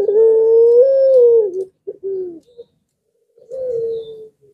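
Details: Barbary dove in puter pelung style, used as a lure to get lazy-calling doves to answer: a long, steady, drawn-out coo with a slight rise and a falling end, then shorter coos after a pause.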